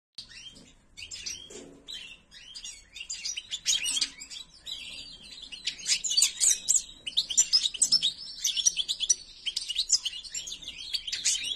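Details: Privately owned white-throated (ak gerdan) European goldfinch singing a dense, high twittering song of rapid chirps, buzzy trills and thin whistles that grows louder and busier in the second half.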